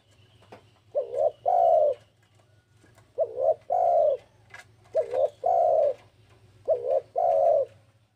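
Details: Spotted dove in breeding condition calling out to a rival: four loud, low cooing phrases, each a short double coo followed by a longer drawn-out coo, repeated about every two seconds with quiet gaps between, over a faint low hum.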